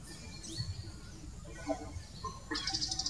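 Magpie robin singing: a clear rising whistle, a few scattered sweet notes, then a quick run of high chips repeated about five times a second over low background rumble.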